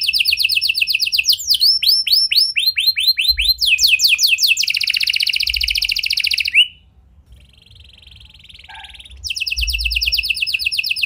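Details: Canary singing in full voice with a distinctive style, meant to lure quiet canaries into song: quick high trills and slurred note series, a pause of near silence, then rapid trilling resumes.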